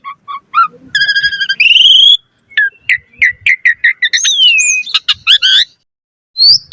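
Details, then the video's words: Fast, varied song of an Asian pied starling: short whistled pips, a ringing high whistled phrase, a run of quick chirps, a long falling whistle, then sharp rising notes after a brief silence. "Pancingan Jalak Suren Gacor Mompa Variasi Suara Burung Kicau Cepat NYAUT Gacor Full Isian Mewah"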